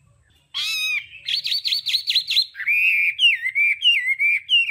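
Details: Hwamei song in the tone-switching đảo âm style: a nasal harmonic note, then a run of quick rolling whistles, followed by lower, wavering, bubbling phrases repeated about every half second.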